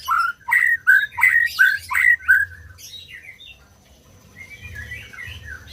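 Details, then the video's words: {'caption': 'White-rumped shama song for encouraging birds that have stopped singing: six loud, clipped downslurred whistles in quick rhythm, followed by quieter high slurred notes and a faint warbling phrase.'} "SUARA MURAI BATU BUAT BURUNG MACET BUNYI"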